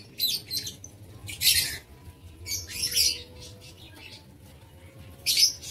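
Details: Aviary-kept lovebirds, 7 April 2023, letting out loud, rasping squawks in separate bursts about every second or two, with softer chatter between.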